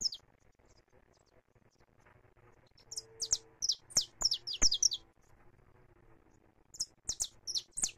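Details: Saffron finch singing free in Brazil, recorded live: bursts of sharp, high chirped notes in quick runs, two phrases separated by a pause of about two seconds, with faint low background hum.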